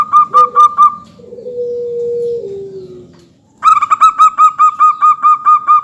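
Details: Local zebra dove singing vigorously, played as a lure to set other birds calling: rapid runs of short, clipped, ringing coos about seven per second, broken by a long, steady, lower drawn-out tone that slowly falls before the quick coos resume.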